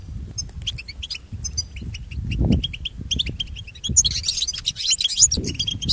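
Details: Song of the European goldfinch for pet bird training: a run of short chirped notes, then a fuller burst of fast overlapping twitters near the end, with low thuds underneath.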